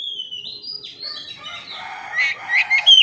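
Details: Oriental magpie-robin, called kacer, singing as a training model for silent or stressed birds: long drawn-out high whistles sliding up and down, turning into a fast burst of sharp bright notes.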